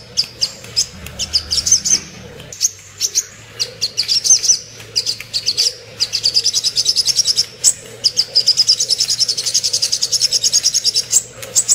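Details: A sooty-headed bulbul starts with scattered sharp chirps and builds into long, fast trilled chattering bursts of high metallic notes, with a faint low rumble at the start.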